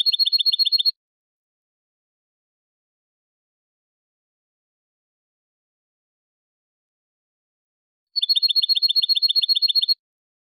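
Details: European goldfinch in clean competition-style song meant for teaching birds, recorded for training: two bursts of fast, high, evenly spaced trilled notes, the first about one second long, the second about two seconds, separated by silence.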